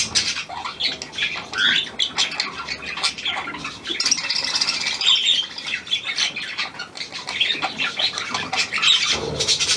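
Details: Hand-tame Australian pied budgerigar, 17 February 2023: steady high chirruping warble made of rapid squeaks, clicks and buzzy notes, with a louder burst near the end.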